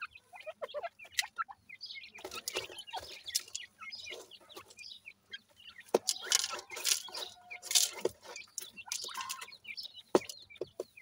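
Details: Grey francolin chicks playing together, giving repeated short high peeps in clustered runs, with loud scratchy rustles and clicks between them.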